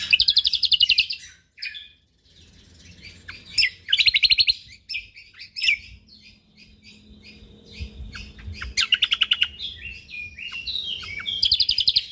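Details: Prize Lombok white-eye in 'gacor' song with dense 'tembakan' bursts: several rapid chattering trills spread over a dozen seconds, joined by twittering chips and whistles over a low steady hum.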